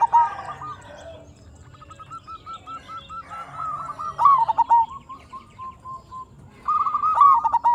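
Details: Zebra dove lure recording of a local perkutut to draw replies from other doves: a long train of soft, evenly spaced cooing notes leads into louder stuttered coos, with fainter chirping from other birds underneath.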